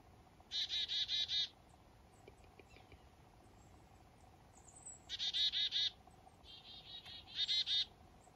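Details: Morning calls of black-capped chickadees in fog up north: several bursts of scratchy, buzzy notes repeated rapidly, with a few fainter thin notes in between the main series.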